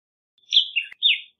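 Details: Short fragment of black-headed grosbeak song, two or three warbled whistled notes sliding downward, ending after about a second; otherwise quiet.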